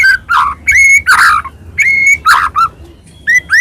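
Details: A white-rumped shama sings short phrases meant to provoke rival shamas: clear whistled notes, some level and some rising, alternating with harsher burry bursts, separated by brief pauses.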